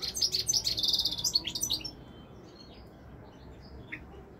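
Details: European goldfinch, known as royal goldfinch, in 2021: a dense, fast, twittering and buzzy high-pitched burst lasting about two seconds, then near quiet with a few faint chirps.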